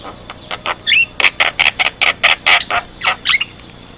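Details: Javan myna lure recording for attracting mynas and training pet birds. A dense run of loud, harsh, rasping bursts with a couple of twisting whistles mixed in.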